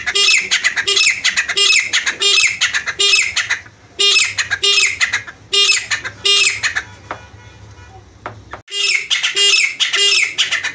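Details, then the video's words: Francolin calling loudly, harsh grating phrases repeated in quick bursts of several notes with short pauses between, strong and close. "jungle mein teetar Ki awaaz"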